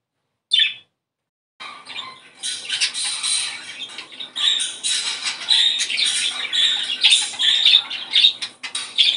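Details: Budgerigar song used to stimulate breeding: after a lone squeak and a pause, a continuous rapid chattering warble of scratchy, buzzy notes and squeaks runs without a break.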